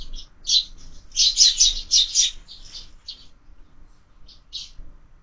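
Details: Sparrow fight at a window feeder with year-round feeding: a loud flurry of harsh high chirps early on, then sparser single chirps trailing off in near silence.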